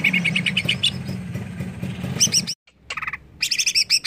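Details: Greater green leafbird stirred up by a lure: fast runs of sharp, high chirping notes in quick succession, a brief silent gap, then more loud ringing chirps, with a low hum underneath.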